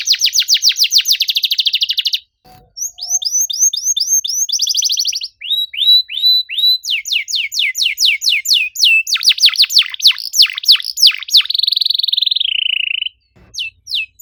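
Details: Canary singing as a lure for silent birds: fast buzzy trill, brief pause, then varied phrases of rising and falling whistles, rapid descending chips and a long low buzz before ending.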